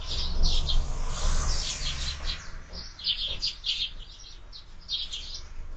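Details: Sparrows at a window-mounted feeder in the morning, part of year-round bird feeding; dense run of short high chirps, about four a second, overlapping and uneven, over a steady low rumble.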